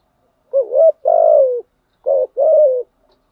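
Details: Spotted dove giving its calling coo to stir wild doves into answering. Two phrases, each a short rising note followed by a longer drawn-out coo, about a second and a half apart, mellow and low against silence.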